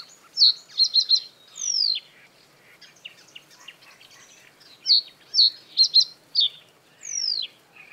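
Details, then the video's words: Male common reed bunting singing from a reed stem above water, defending its breeding territory; two matching phrases of quick repeated chips ending in a drawn-out descending slur, about five seconds apart, with soft bird chatter behind. "Bird sounds – Common reed bunting (Emberiza schoeniclus)"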